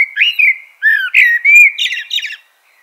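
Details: Common blackbird song phrase of rich, fluty whistles, several sliding up and down, running into thin, high chattering twitters near the end, followed by silence.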